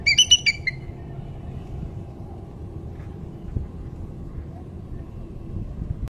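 An eagle opens with a quick burst of about six high, thin, chittering notes, then falls silent over a steady low rumble like distant traffic.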